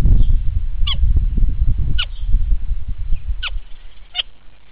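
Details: Starling mimicking calls of neighbouring birds, giving four sharp whistles that drop steeply from high to mid pitch, spaced about a second apart, against loud low-pitched background rumble.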